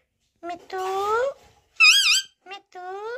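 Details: Talking parrot, locally called Batooni Tota, mimicking speech in a small room: rising voiced syllables, a wavering warbled note in the middle, then short clipped sounds and a final upward-sliding tone.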